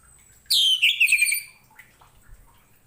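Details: Anis merah, the orange-headed thrush, sings a single rich phrase meant as a tutor for other cage birds: a bright high opening dropping into a rapid, slightly harsh descending warble lasting about one second, then a soft faint note.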